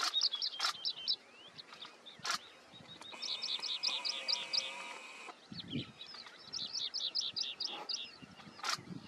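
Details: Small chestnut-bellied sandgrouse chicks with their father on the outskirts of Bhigwan Kumbhargaon Bird Sanctuary, Pune, Maharashtra, 13 June 2022: high, thin chirps in quick runs of five or six, about two per second, with a steady hum and occasional clicks and thumps.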